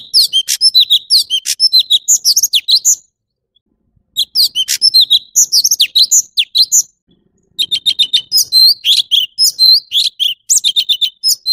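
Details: Long bouts of high, varied orange-bellied leafbird song, rapid whistles and chirps in three bursts separated by pauses of about one second.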